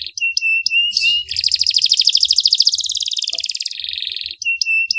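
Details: Canary tutor song with sharp 'tembakan' bursts and ornate 'cengkok mewah' phrasing: high whistled notes, then a fast buzzy trill of rapid repeated pulses lasting over two seconds, ending in clipped whistles. No other sounds.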